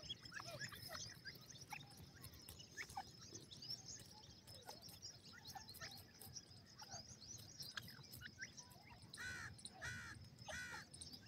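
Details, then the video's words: A pair of grey francolins, locally called Irani or silver partridge teetar. Scattered soft chirps lead into two loud, harsh, ringing calls about a second apart near the end, over a steady high insect drone and background noise. "irani naar teetar jori ki awaz,silver partridge teetar ki sound"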